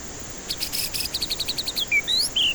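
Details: White-rumped shama singing as a lure for stressed birds reluctant to sing. A quick string of high clipped notes, followed by a few upswept whistles and one long, loud, level whistle.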